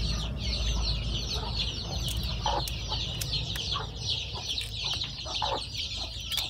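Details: Chicken chicks with their hen after she hatched the eggs: a dense chorus of high, thin peeps from many overlapping chicks, with occasional lower soft clucks and faint background rumble.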